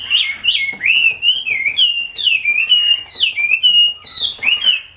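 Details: Wambi song, delivered as a steady run of clear whistled phrases that swoop up and down in a high register. The bird sings continuously with brief gaps between phrases, and a faint constant hum runs underneath.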